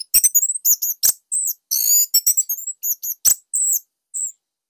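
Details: Orange-headed thrush of the Bali type, a kept songbird whose loud, tight song is used as a master to prompt other thrushes to sing; rapid bursts of very high, sharp whistled notes and short trills separated by brief pauses.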